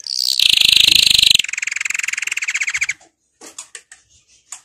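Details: Canary song for training, a loud, harsh, buzzy high roll that shifts into a steady rapid trill of even notes, followed by a few scattered short chips.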